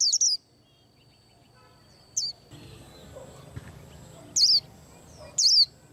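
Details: White-eye preparing to moult gives a few scattered, sharp high chirps spaced seconds apart, with a faint steady thin tone and low background rumble between them.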